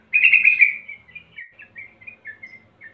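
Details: Lure recording of sooty-headed bulbul for untrained birds: one loud bubbling warble at the start, followed by a string of softer, short whistled notes at a steady pace.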